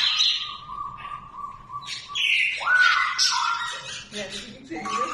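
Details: Cockatoo, happy that a friend came to visit, gives drawn-out whistled and harsh screechy calls, with one rising swoop and some speech-like chatter, over faint voices in the room.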